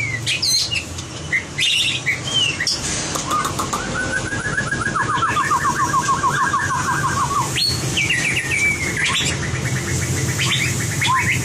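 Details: White-rumped shama trained for competition singing, giving a long rapid trilled run of repeated notes, then sharp upslurred whistles and rising phrases, with a constant low background hum.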